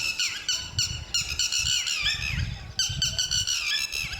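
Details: Northern lapwing gives rapid, wheezy, squeaky alarm calls slurring up and down, several a second, over low wind rumble, while protecting its chicks, which male and female guard until they can fly; Northern lapwing.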